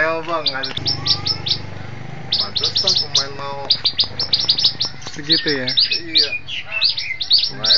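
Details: White bar-winged prinia in a cage, practising for contest fighting: long bursts of fast, sharp, high-pitched chirps, broken by lower buzzy stacked notes and a short pause, with a faint low background hum.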